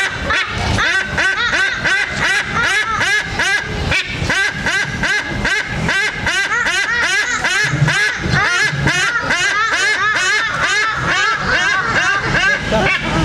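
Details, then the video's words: White-bellied sea eagle from Sumatra calling for food: a loud, continuous series of harsh, arched, nasal calls, about two and a half per second, with steady background noise. "Suara Elang Laut Dada Putih, Memanggil Minta Makan"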